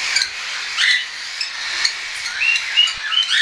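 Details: Young hand-tame cockatiels, some already weaned and some not yet, chattering in September; soft overlapping chirps and short whistled notes over a steady hiss of many birds.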